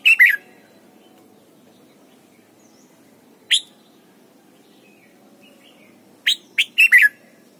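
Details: Thai Red-whiskered bulbul, sung as training for young birds: short bright whistled phrases with a downward slur, one at the start, a single note midway, then a fast cluster of four notes near the end over a soft steady hum.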